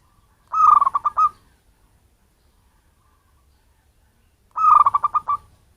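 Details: Local zebra dove from its natural habitat, its call used to lure birds: two bursts of fast, pulsing, hollow cooing notes, about four seconds apart, with stillness between them.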